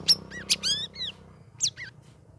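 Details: Chattering, full-voiced song of a caged sooty-headed bulbul being trained alongside other birds in its third week: a rapid run of bright chirps and curved whistled notes, a pause, then two more sharp notes over a faint low hum.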